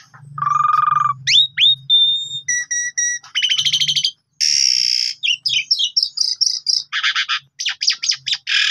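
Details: Asian pied starling song used as a lure to make other birds sing, morning to night: a varied run of whistles, harsh buzzy bursts, rattling notes and rising slurs, with a low hum underneath.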